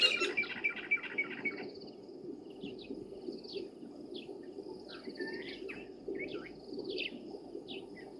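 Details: At Gowrie dam waterhole, Djuma Game Reserve, Sabi Sand, South Africa, around 05:25 on 22 January 2023, a blacksmith lapwing gives a quick run of sharp, metallic tink notes, then other birds chirp and whistle over a steady low rumble.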